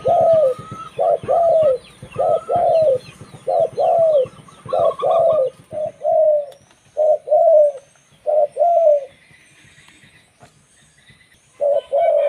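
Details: Local zebra dove used as a lure for its own kind, singing a fast series of paired staccato and rolling coos, slowing into single purrs, then pausing; faint high chirps of other small birds behind.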